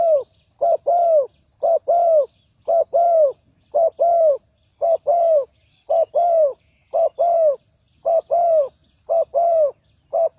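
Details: Decoy spotted dove calling to draw wild doves into a trap: loud, clean coos in regular paired bursts, roughly one burst a second, each note arching up then down, with a quiet background.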